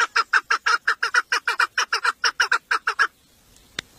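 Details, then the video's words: Domestic decoy female chukar partridge used in hunting gives a rapid run of coarse, clucking notes for three seconds, then falls silent apart from a single faint click. "Evcil köy Marisi dişi keklik sesi"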